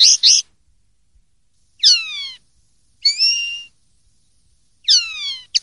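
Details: Common linnet in "pardillo limpio" clean song from a 2023/2024 silvestrismo CD: spaced phrases of sliding, descending whistled notes about a second apart, with brief chirps between quiet gaps.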